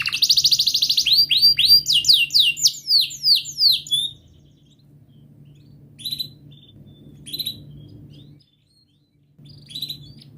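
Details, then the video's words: Long canary song meant to coax a silent canary into singing: a fast, loud, high trill and rapid swept cuit-cuit notes for four seconds, then sparse brief chirps over a steady low hum. "Kenari Gacor Panjang Cuit cuit Ngerol,TERAPI AMPUH Kenari MACET, Pancingan Kenari Paud Belajar Bunyi"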